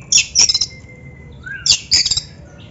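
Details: Oriental magpie-robin used as a training song for other birds, giving short bursts of very high scratchy notes separated by long, pure, level whistles, with a low hum underneath.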